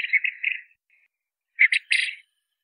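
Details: Common quail calling: a quick run of three short, slightly buzzy notes, then a pause and another three-note phrase, all mid-high in pitch against a silent background.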